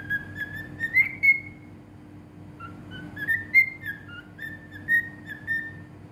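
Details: Whistling cockatiel from Bahrain singing two separate phrases of clear whistled notes that rise and dip in pitch, with a pause of about two seconds between them and a soft steady hum underneath.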